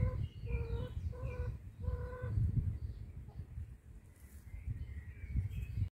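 A male common quail gives a quick three-part call of clear, nasal, harmonic notes, then falls quiet under a steady low rumble.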